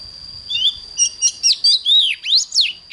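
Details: Oriental magpie-robin singing intensely at dawn for song training: a soft start, then bright, strongly swooping whistles, rising and falling sharply, delivered in quick, evenly spaced notes over a continuous high hum.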